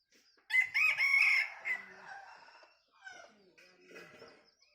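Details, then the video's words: Laughter-like crowing of a bantam rooster: a loud, quavering note over a second long, then a few broken, softer trailing notes and scattered clucking. "ขันสัก9ดอกคล้ายเสียงหัวเราะ ไก่แจ้ ไก่ขัน"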